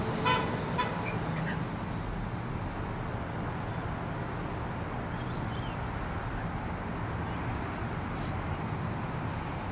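Continuous road traffic rumble with a brief car horn toot at the start; no animal sound stands out.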